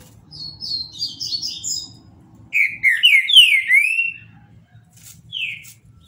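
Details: Paraná-style song from a legally kept caged Green-winged Saltator: quick high twittering notes open, followed by a strong, clear whistled phrase of sliding, swooping notes, then one lone downslurred whistle; faint low rumble throughout.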